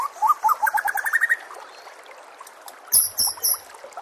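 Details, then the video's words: Brief burst of white-rumped shama song for training caged birds: a quick series of rising whistled notes lasting over a second, then quiet before a few thin high notes, against a soft water-and-nature background. "murai batu anda dengar suara MASTERAN burung seperti ini"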